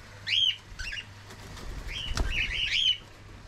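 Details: Captive cockatiels kept as pets: a few rising, whistled chirps with wing flapping and a sharp click in between.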